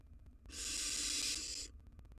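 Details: Wild barn owl owlets, three together in a nest box, give one long harsh hiss lasting just over a second, broadband and breathy like escaping steam, with faint low hum behind.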